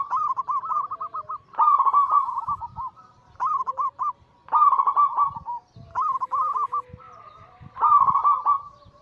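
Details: Several perkutut (zebra doves), local and Bangkok-cross birds, singing in turns: runs of evenly spaced clipped coos alternate with rich purring trills about every two seconds, with phrases often overlapping.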